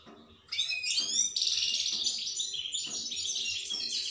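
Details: Goldfinch song bursts in with a rush of high liquid twitters and buzzy trilled notes, running continuously, with faint low knocking beneath.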